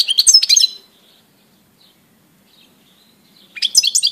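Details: European goldfinch, 17 April 2018. A fast bright twittering phrase of tinkling chirps opens the clip. A long near-silent pause follows, then a second similar twittering burst at the end.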